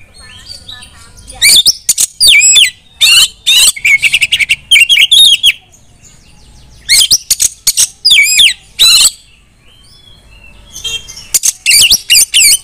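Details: Female white-rumped shama, used to call other shamas into singing loudly; loud bursts of rich, warbling whistles and sharp chattering notes in two main phrases separated by short pauses, with high squeaky notes near the end.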